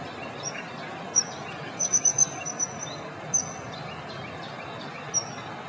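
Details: Common kingfisher (Alcedo atthis) of Europe, Asia and Africa, whose call is sing-song and delicate: very high, thin, piercing whistles, some single and one quick run of four, over a steady rushing background like flowing water.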